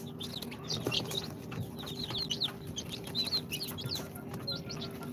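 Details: Chicks two days after hatching in an incubator, Sultan, Golden Sebright, Cochin and booted breeds, give thin high peeps and slurred chirps from many birds at once, partly blurred by scratching and rustling noise and a constant low hum.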